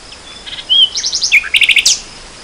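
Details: A nightingale singing in spring 2014 gives a varied phrase: a clear rising whistle, a rapid run of high notes, then a fast rattling series ending in a sharp note.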